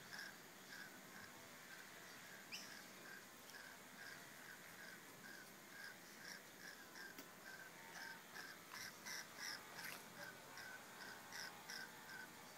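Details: Rainbow lorikeets mating in the bush: a steady run of harsh, raspy chattering notes, about three per second, uneven in rhythm, with brighter screechy bursts toward the end over a constant background hiss.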